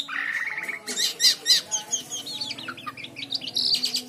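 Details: White-shouldered triller in lively song for tutoring other songbirds: steady mid-pitched whistle, then a series of upward-flicking chirps and scattered high twitters, finishing on a short buzzy burst, over a soft background hum.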